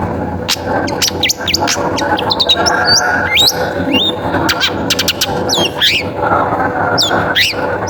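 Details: Long-tailed shrike singing clearly and continuously, used to draw other shrikes into song: a busy medley of whistled chirps, upslurs and twittering phrases with a soft background hum.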